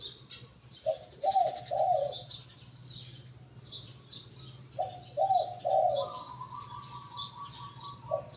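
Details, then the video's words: Spotted dove, a wild-caught decoy bird with a medium-to-deep voice, repeating a soft three-note coo phrase twice, several seconds apart, over steady low hum and thin high twittering of other birds. "แนะนำ สุดยอดนกต่อ หลิ่วตัน"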